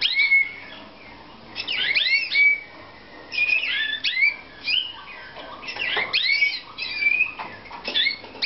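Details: Slavujar canary from a Romanian breeder, singing clear whistled notes and sweeping slurred phrases, with brief pauses between bursts and a steady, rich high-pitched delivery.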